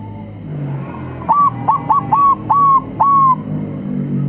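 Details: Caged Bangkok crossbreed zebra dove sings a phrase used to lure other doves: six whistled coo notes, the first ones short and the last ones drawn out. A steady low rumble like traffic runs underneath.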